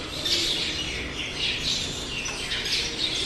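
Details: Birds along a roadside, sparrows included, make harsh high squawky chirps in repeated overlapping bursts over faint low ambient noise.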